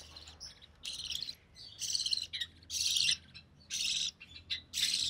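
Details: Recessive pied budgerigar chick, hatched early June 2020, sole survivor of three, being fed by its mother; raspy, hissing bursts repeat roughly twice a second with brief softer chirps between, against a faint low hum.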